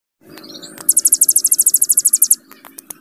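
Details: Hill prinia in a long rapid 'bren' trill used as a master song for training cage birds: a soft whistled flourish, then a fast run of very high, even, metallic notes lasting about a second and a half, followed by scattered sharp ticks.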